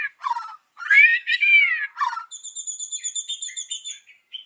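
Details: White-rumped shama singing in the morning to lure birds: rich arched whistles and harsh phrases, then a long, even, high buzzy trill held for about two seconds.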